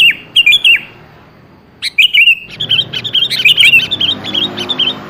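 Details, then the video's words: Sooty-headed bulbul lure song: two crisp bubbling phrases with a pause between, then a continuous lively chatter of rapid, clipped notes running on for three seconds over light background noise. "pancingan suara burung kutilang yang jarang bunyi"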